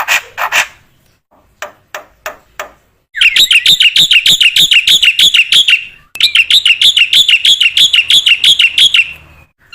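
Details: Black-winged myna in full song, used as training material to prompt other mynas to sing: a few scattered sharp chips, then fast runs of bright, warbling notes repeated about three per second, broken by a brief pause.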